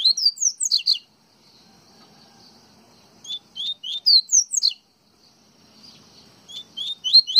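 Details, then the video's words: Coleiro baiano (yellow-bellied seedeater) from Pernambuco: rapid series of bright, upslurred whistled notes, some doubled, given in phrases of several notes with brief silences between, over faint low background sound. "Coleiro Baiano"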